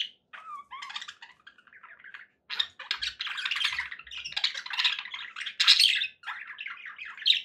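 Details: Budgerigars kept as pets, happy, opening with a few whistled upward notes, then dense continuous warbling chatter of scratchy squeaks and chirps building louder.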